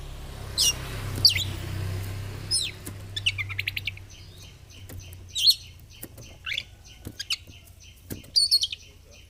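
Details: Kacer or oriental magpie-robin in 'gacor fighter' song while displaying (ngobra), meant as therapy for birds that seldom sing: sharp whistled upsweeps, rapid clicking trills and scattered chirps over a low background hum.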